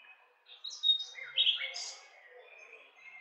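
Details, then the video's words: Nightingale phrase made of a thin high whistle followed by louder slurred chirps, fading into a quieter trailing warble. "Cantec de privighetoare - Nightingale's song"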